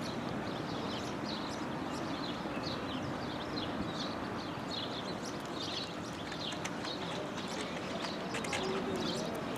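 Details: African Palm Swifts flying and screeching around the trees in Palm Tree Park, Windhoek, Namibia; thin, sharp high screeches burst repeatedly from several birds throughout, over a steady broadband background rumble.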